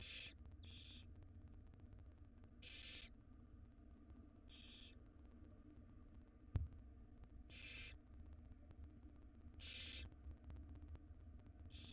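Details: Barn owl nestlings, wild and filmed in a nest box, beg as their mother feeds them a jird; rasping hissed screeches repeat roughly every two seconds, each about half a second long, with a constant low hum and one sharp knock.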